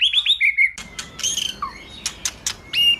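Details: White-rumped shama song for stirring a male's breeding mood: clear whistled phrases at the start, then harsh noisy bursts, a falling slur and a final bright whistle.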